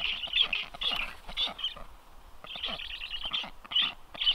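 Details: Black storks at a nest, livestream camera, 9 July 2023, during a visit by strange storks; short hoarse wheezing bursts, roughly two per second, broken by a brief gap midway.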